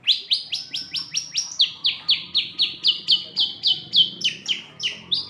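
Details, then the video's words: Long-tailed shrike, a kept songbird, singing a fast run of about twenty sharp, down-slurred whistled notes, each dropping in pitch, repeated roughly four times a second with slight shifts in tone; faint background hum. "cendet burung indah dan cerdas"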